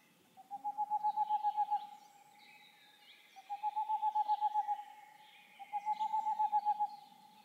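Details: Boreal Owl song from German mountain forests, said to carry several kilometres on still nights: three quick, even trills of about a dozen soft, hollow hoots each, a second apart, with faint higher bird calls behind.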